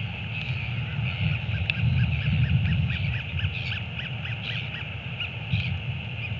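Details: A royal albatross chick in New Zealand, 7 March 2022, greets its returning father with a rapid run of short, arched calls, about three each second, over a steady rumble of wind.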